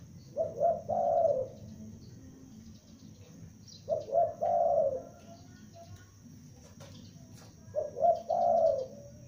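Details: Young lure spotted dove repeats its call three times, about every four seconds; each phrase has two quick low coos and a longer, gently falling coo, and faint hum fills the gaps.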